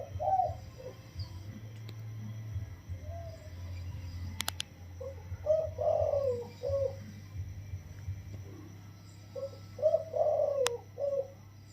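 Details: Spotted dove, a wild-caught bird caged for 16 days, singing the single-note 'toss' crowing style in soft, mellow phrases. Low hollow coos repeat in several separated bursts over a steady low hum, with a few sharp clicks.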